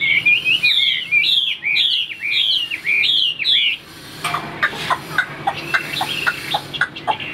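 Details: Caged Chinese hwamei delivering a fast series of bright, high whistled phrases with sharp upward and downward slurs, then a stretch of dry clicks and scattered chirps.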